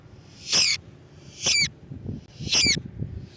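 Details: Sharp, screechy lovebird notes used as a lure for lovebirds, three bright chirps about a second apart with a soft rustling background.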